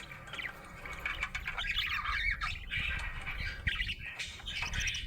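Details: Happy budgerigar chirping in dense, scratchy bursts of chatter with squawk-like notes, nearly continuous over five seconds, above a steady low rumble of background noise.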